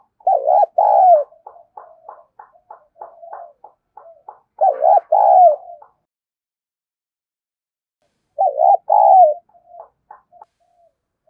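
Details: Spotted dove giving 'kích bổi' lure cooing: loud, low hoarse coo phrases near the start and again around five and nine seconds, each trailed by a run of soft, quick stuttering notes, with a quiet gap between.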